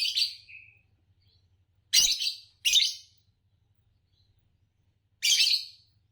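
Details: Harsh, scratchy chirps from a champion green Fischer's lovebird, two given in quick succession and then another after a pause, over a soft low electrical hum.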